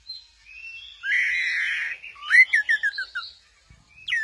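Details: Orange-headed thrush at Kesamben doing a 'goyang inul' sway: a buzzy sustained whistle followed by a rapid descending series of about seven short whistled notes.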